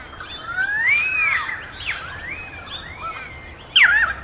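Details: Pied currawong (Strepera graculina) giving rich, whistled calls that swoop up and down, with overlapping whistles and a sharp descending note near the end; light background noise.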